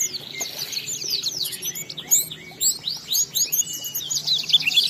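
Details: Oriental white-eye in lively ngalas song, used to make other white-eyes respond: high, rapid chattering notes in quick rising and falling strokes, building into denser twittering bursts toward the end.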